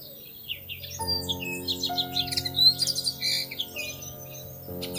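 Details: Bushtits, a pair nesting in a plum tree, recorded from a living-room window at treetop level in early May: rapid high, thin twittering chips, dense and irregular, over steady background music.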